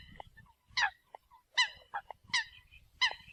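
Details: Eurasian coot calls used as a decoy: loud, nasal, honking notes given singly at irregular intervals, mixed with short lower tooting notes and a faint low rumble.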